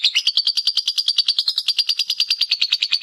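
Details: Lovebird ngekek used as training master: very regular rapid chatter, roughly eleven clipped pulses per second, pitch holding level and high for three seconds.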